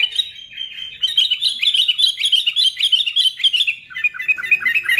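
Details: Sooty-headed bulbul song played to provoke other bulbuls into singing: a dense, continuous run of bright, bubbling chirped notes, rapid and uneven, with a lively chattering texture throughout and a slightly lower, warbled stretch near the end.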